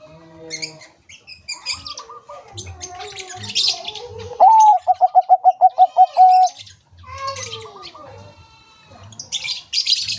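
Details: Bangkok zebra dove in active song among chattering small birds: an upslurred opening note, about nine rapid staccato notes at the same pitch, then a sustained final note. High chirps and twitters fill the gaps before and after.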